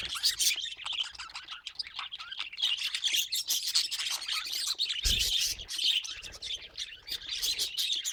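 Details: A group of pet budgies keeps up a steady babble of shrill chirps, squeaks and grating notes, with a dull knock around the middle.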